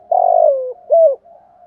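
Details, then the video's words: Spotted dove cooing, from a male and female recording meant to stimulate singing during training. One drawn-out, slightly falling coo is followed by a shorter rounded note, then a soft trailing hum. "Chim cu gáy kích bổi mới/ cu cườm gù thúc/ tieng chim cu moi thuc gu giong tho cu moi"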